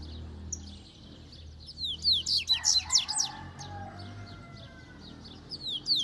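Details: Double-collared seedeater singing in Itaguaçu, Espírito Santo, Brazil: a burst of rapid, high, slurred and chipping notes, with faint low background hum and a quieter phrase near the end.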